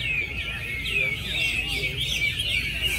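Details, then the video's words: Several contest hwameis (Chinese hwamei) sing together at the 19 July 2020 Mỹ Đình bird-singing competition in Vietnam. Loud, ringing whistled notes slide up and down in a continuous tangle, with a soft rumble of the gathered crowd below. "HỘI HỌA MI HÓT MỸ ĐÌNH"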